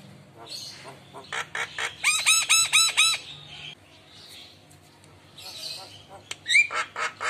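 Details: Mimic-trained Javan myna reacting to lure calls of other mynas with head-bobbing and energetic singing. Mixed harsh notes lead into a run of five loud, clear ringing notes, followed by raspy chatter and sharp whistles.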